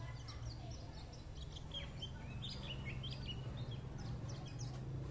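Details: White-eye chattering in a run of thin, high chirps and brief rising slurs, partly masked by a loud, constant low rumble.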